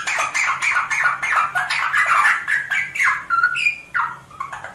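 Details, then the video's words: Rosella chattering: a dense, fast stream of harsh, buzzy notes with one clear whistled note near the end, steady and almost unbroken. "SONG ROSELLA تغريد طائر الروزيلا الجميل"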